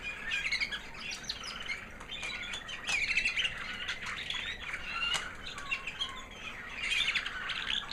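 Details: Kept American Singer canary, a white 2009 hen, singing after her molt: a high, sweet song of busy overlapping trills and chirps that runs continuously, with brief sharp clicks between phrases.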